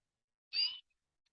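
A Eurasian blue tit gives one harsh, buzzy, high-pitched note lasting about a third of a second. Silence surrounds it.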